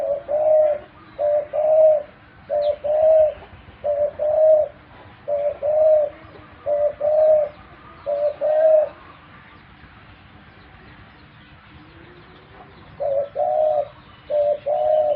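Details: Pet dove cooing in a long series of two-part phrases, a short hoot then a longer mellow note, about one per 1.3 seconds, breaking off for several seconds before resuming.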